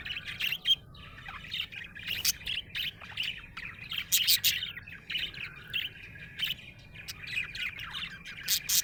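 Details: Happy budgie chirping busily, rapid scratchy warbles interspersed with sharp, high, clicking chirps in quick bursts throughout.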